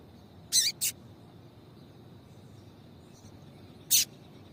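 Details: Calling female yellow-bellied seedeater, a sound meant to make males sing for tournaments; a quick double chip followed three seconds later by a single sharp high note, with a faint distant chirp and constant low hiss and hum.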